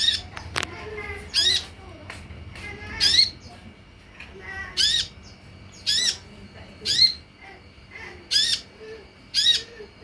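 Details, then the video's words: Sunbird lure recording intended to make other sunbirds answer and sing: sharp, down-curving high notes with harmonics, repeated roughly every one to one and a half seconds over a quiet background. "SUARA PANCINGAN DAN MASTERAN UNTUK SEMUA JENIS KOLIBRI"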